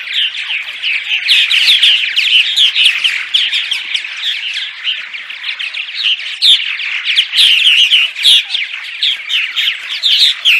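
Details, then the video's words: Daytime purple martin chatter from a group: overlapping throaty gurgles, rasping chirps and short whistled notes pour out almost nonstop, swelling and easing in loudness, used to draw martins to nest housing during migration. "Attract Purple Martins (10 hours of Daytime Chatter)!"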